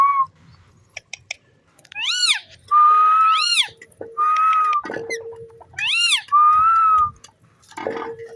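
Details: Green parrot playing with its owner: alternating arched whistles that rise and fall and long level whistled notes, with a lower hum between them and soft rustling.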